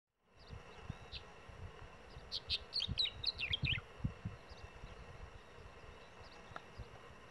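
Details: A brown-chested martin (Progne tapera) sings a brief burst of gurgling, chirpy notes lasting about two seconds over steady background hiss and low rumble; recorded December 2015 in department Treinta y Tres, Uruguay, on the road to Mensajero.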